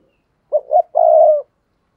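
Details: Lure spotted dove giving one clear coo: a pair of quick notes climbing slightly in pitch, then a smooth, sustained low coo, set against silence.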